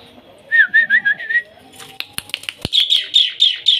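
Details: Starling (jalak) singing in front of a house: a run of whistled wavering notes, then sharp clicks and a fast series of high chattering notes.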